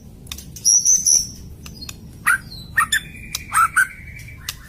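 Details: White-rumped shama giving a harsh, rapid song style: scattered sharp notes and a few high whistled phrases, then short clipped bursts around a sustained mid-pitched tone, with quiet pauses between notes.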